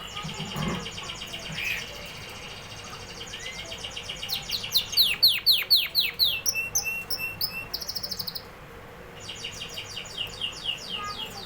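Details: Canary singing in tours: a buzzy repeated phrase, loud descending swoops in quick succession, a rattling trill, a short pause, then another fast high trill.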